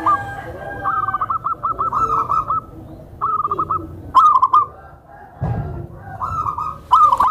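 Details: Tame zebra dove, kept to draw in and calm newly acquired zebra doves, giving gentle trilled coo phrases in bursts of about a second, separated by pauses, with a low background hum.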